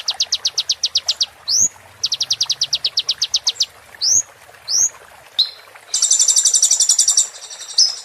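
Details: Sunbird song used for training caged birds: a series of sharp, high notes repeated rapidly, broken by upward-swept whistles, ending with a dense, buzzy, high trill.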